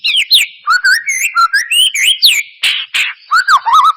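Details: White-rumped shama lure song meant to provoke singing: loud, fast, varied whistled phrases with rising and falling slurs, two harsh noisy bursts, then looping lower whistles.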